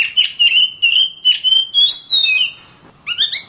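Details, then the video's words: Oriental magpie-robin singing for tutoring other birds, a series of steady whistled notes run together in quick bursts, a brief pause, then a short rising and falling trill of clear notes. "Burung Kacer"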